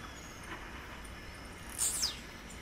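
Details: Single quick, buzzy downslurred note from a wild blue-black grassquit, very high and explosive, lasting under half a second against a low hiss of insects.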